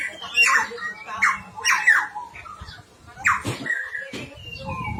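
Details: Timor friarbird giving rough, squawking phrases, about five short bursts with a brief louder scratchy note near the end, over faint background noise.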